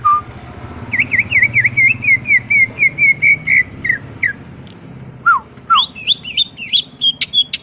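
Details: Greater green leafbird from the wild, singing a full provoking song against a steady noisy background. Many quick wavering whistles run in a long series, then two falling whistles and a burst of high twittering phrases.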